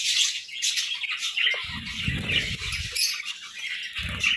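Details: Parakeets in the morning keep up a lively mix of high chirps, squeaks and chattering trills, with bursts of low rustling and knocking beneath.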